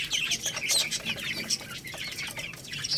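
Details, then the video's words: Lohmann Brown chicks, a little rooster and a baby hen, feeding on rice. A dense run of shrill, overlapping chirps and squeaks sits over rapid pecking clicks throughout. "Chicks Chirping Sounds"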